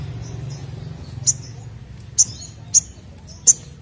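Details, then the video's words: Ashy drongo, an active singer used to get other birds singing: four crisp, high, whistled chips spaced about half a second to a second apart, each with a short trailing tail, over a soft low hum. "SOGOKONTONG Gacor Nemb4k l Untuk Pancing Bunyi"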